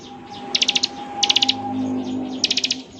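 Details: Bar-winged prinia singing in the ngebren style, used to get other prinias to reply: three quick bursts of five rapid high ticking notes over a steady low hum.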